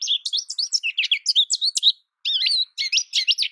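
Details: Short burst of American goldfinch song: a rapid, tumbling series of high warbled and twisting notes, a brief gap, then more sweet, looping whistled twitters.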